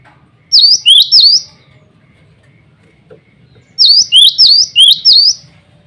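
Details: Male cinereous tit singing to call rivals and attract a female: two bursts of loud, sharp, high whistled notes, three then five quick downward-swept phrases in rapid succession, separated by a silent pause.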